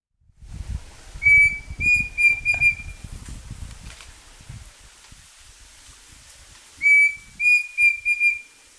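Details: Pavonine cuckoo (Dromococcyx pavoninus) giving a clear whistled song: one drawn-out note, then three or four quick, slightly higher notes. The phrase repeats after about five seconds, with low wind rumble early on.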